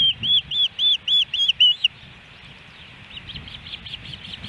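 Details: Osprey at its nest in Hellgate Canyon, Missoula, Montana, captured by nest camera on July 13, 2018, a day of three fish deliveries; seven loud, piercing arched whistles in quick succession, then faint distant chirping over low background hum.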